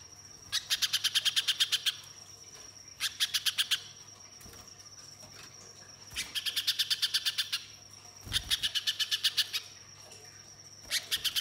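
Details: {'caption': 'Spiderhunter song played to get other birds singing: short clusters of very rapid high chips, each lasting one to two seconds, separated by quieter gaps, with a continuous faint high tone.'}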